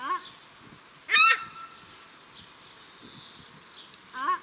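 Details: At Cornwall Park, Auckland, New Zealand, paradise shelducks, male and female, give a single loud, harsh honk, with fainter honks at the start and end and soft background murmur.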